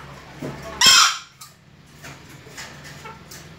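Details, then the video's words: First crowing attempt by a young junglefowl, a single brief, scratchy burst lasting under half a second. Quiet low hum and faint scattered sounds follow. "suara anak ayam hutan pertama kali berkokok"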